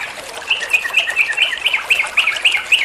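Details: Yellow-vented bulbul master song in ropel style, meant to train other songbirds: bright, rapid run of short chirpy notes, pulsing several times a second.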